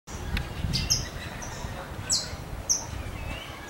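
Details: Saffron finch (Sicalis flaveola) singing free in the wild, a species known for a strong, crackling song; a few sharp, high, clipped chirps spaced about a second apart, rising and falling quickly, over steady low rumbling background noise.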